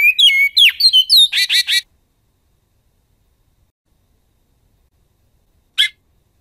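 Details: Goiano-style song of a Great-billed seed finch: about two seconds of looping whistles ending in rapid buzzy trills, then silence and one short sharp note.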